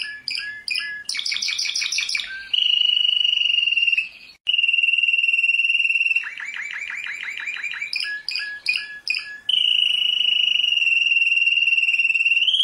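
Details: Champion canary alternates clipped bright chips, a buzzy high roll, long steady rapid trills and a run of quick swooping notes, with brief pauses between phrases.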